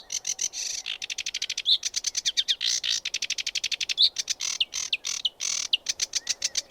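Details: Sedge warbler in full song: harsh, buzzy grating phrases alternating with fast dry trills and a few thin, clear, rising whistles slipped between them, delivered continuously and loudly.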